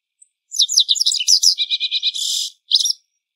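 Japanese Wagtail: high, varied twittering, then a quick run of about eight even notes, a harsh buzzy burst and one last chirp, with nothing else heard.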